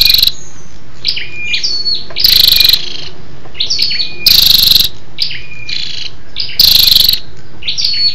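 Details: Female scarlet-backed flowerpecker lure call for stimulating males. Brisk bursts of hard, clicking ticks recur roughly every two seconds, and high, thin chirps and short twitters fill the gaps.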